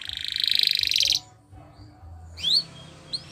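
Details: Canary song meant for training: a loud, even buzzy trill lasting over a second, silence, then two short rising whistled notes.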